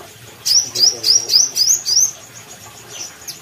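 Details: Kalimantan Brown-throated sunbird singing briskly: five sharp, upward-slurred high notes repeated about every quarter second, then a few fainter thin notes trailing off.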